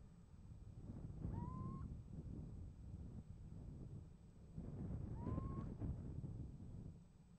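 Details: Little owl calling and being answered at a nest box in January: two rising, mewing notes about four seconds apart, partly masked by gusty wind rumble.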